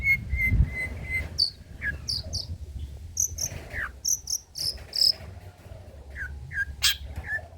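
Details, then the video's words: Long-tailed shrike singing old-style material meant to stimulate and tutor other birds: short steady whistles, then varied high thin notes, scratchy slurs and paired chips in irregular bursts, over a low hum. "BURUNG CENDET MATERI JADUL BONGKAR MATERI MEWAH, COCOK UNTUK PANCINGAN DAN MASTERAN PENTET TROTOL"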